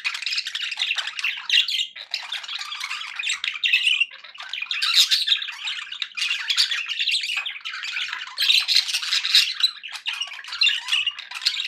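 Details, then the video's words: Pet budgies sounding happy, several birds chattering together: an unbroken stream of scratchy warbles, squawks and quick high chirps layered over one another, with no real pauses and no other sounds. "happy budgie sounds"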